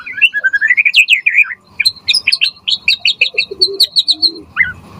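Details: Caged white-rumped shama used to train other birds sings a fast varied song of slurred whistles, then rapid repeated high chips in quick series, ending with a short rising note.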